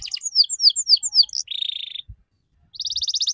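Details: Canary song meant to draw young birds into learning ngeriwik: quick chain of downward whistled slurs, a short buzzy trill, a gap with one thump, then a loud rapid rattle.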